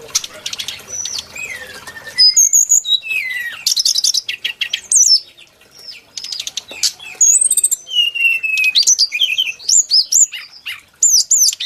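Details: Brown-chested jungle flycatcher, a song likened to a mountain warbler's: after a buzzy stretch, a varied run of clear whistled slurs and sharp high notes, some rising, some falling, in quick bursts with short pauses.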